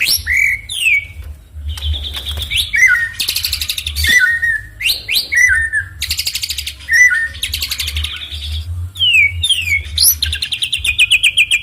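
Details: Songbird belting out a hard 'tembakan' fill song to stir up rivals, mixing fast buzzy rattles, steep falling whistles and clipped chips in quick bursts, with a constant low droning hum beneath.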